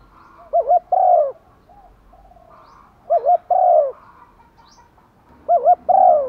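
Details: Decoy spotted dove calling to draw in wild doves, giving three phrases of a short wobbling two-part note followed by a drawn-out, downward-sliding coo, repeated about every two and a half seconds with faint background noise.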